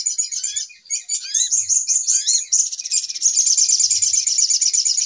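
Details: Sunbird lure call used to attract birds for trapping, a noisy agitated type: dense high-pitched chattering trills with rapid repeated notes and a few down-slurred whistles woven in, continuous throughout.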